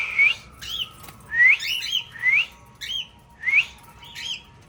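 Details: Tame pet cockatiels in a family group give chirping calls: short rising whistled chirps, some with a buzzy edge, in irregular bursts about every half second to second, with a steady faint low hum behind.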